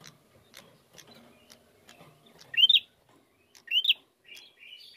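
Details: Bar-winged prinia lure meant to provoke song: after a quiet start, two sharp rising whistled notes about a second apart, followed by softer thinner warbled notes.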